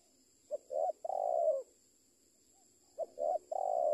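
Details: Two cooing phrases from a spotted dove in training: quick short notes leading into a long, soft, even coo, separated by over a second of near silence, with a faint continuous high-pitched hum.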